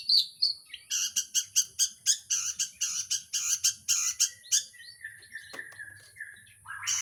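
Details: Long-tailed shrike singing a rapid series of harsh, buzzy, evenly spaced chattering notes, about two per second, fading into softer scratchy warbles and a rising squeaky note at the close.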